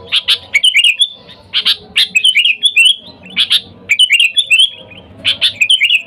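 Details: Lure calls of a sooty-headed bulbul summoning wild birds: about four grouped phrases, each two or three harsh chirps followed by a bubbly, descending whistled flourish.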